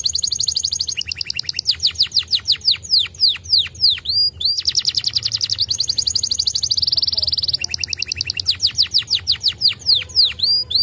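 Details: Canary song played to prompt other canaries to sing in reply: bright, very high rapid trills and rolling runs of repeated notes in bursts, with a brief pause near the middle, over quiet background hiss.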